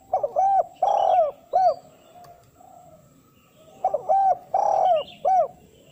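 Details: A spotted dove's decoy call for luring wild doves, described as a calling style aimed at females, with the nekan and mengukur sounds. Two full phrases of short notes, a drawn-out rolling coo and an arched final coo, separated by a pause.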